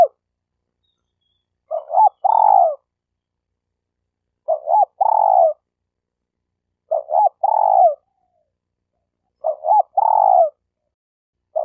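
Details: Malaysian spotted dove kept as a trapping lure, calling steadily: a repeated phrase of two quick hoots followed by a longer rolling coo, recurring about every two and a half seconds in silence.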